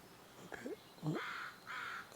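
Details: American crow (Corvus brachyrhynchos) landing in a tree overhead at Sargeant Bay Provincial Park on a breezy spring morning gives two harsh, flat caws about half a second apart, after a man's brief murmur.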